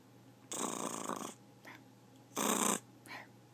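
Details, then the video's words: A talking pet macaw growling: two harsh, breathy, broadband bursts, the first lasting nearly a second and the second shorter, with faint softer rasps between them over a steady low indoor hum. "the talking macaw growls"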